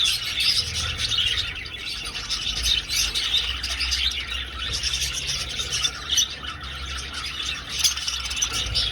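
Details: Budgerigars flying in an aviary fill the air with continuous high chirping and chattering from many birds, evenly loud with small bursts.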